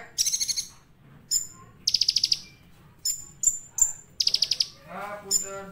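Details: Olive-backed sunbird in vigorous song with varied material. Short high trill bursts are separated by brief pauses and mixed with sharp whistled notes. A lower, fuller harmonic phrase ends the sequence.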